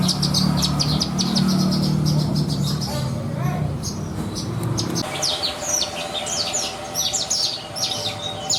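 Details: Caged Horsfield's bush lark, a contest bird with rich 'isian' song content, giving quick high chirps followed by slurred downward notes in busy bursts, with low droning hum and faint voice-like noise underneath.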